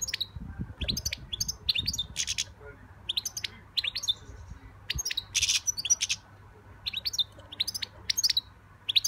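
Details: A young European goldfinch sings a lively, liquid twitter of quick high chirps and buzzy notes in clustered bursts separated by brief pauses, with quiet background.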